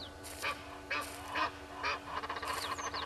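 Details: Red-billed hornbill at Gowrie dam waterhole, Djuma Game Reserve, Sabi Sand Wildtuin, South Africa, foraging for a meal near a camera tree at 07:13 on 25 July 2021; hoarse clucking notes repeated about twice per second over a faint background hum.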